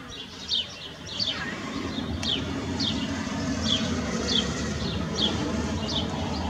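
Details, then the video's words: Sparrow recorded up close in 2021, its bright chirps repeating quickly over a loud, continuous low rumble of background noise, with one sharp click partway through. "śpiew/dźwięk wróbla"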